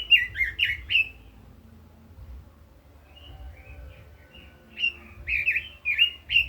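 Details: Caged Red-billed leiothrix giving voice-stimulating song: short bursts of warbled, fluty notes, a quieter gap of soft scattered whistles, then the lively warbling resumes, over a low steady hum.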